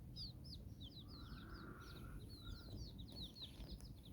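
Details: Nine chicks out with their hen in Bizkaia, Basque Country: spaced high, curved peeps from the chicks, plus a drawn-out steady whistled tone midway and low background hum.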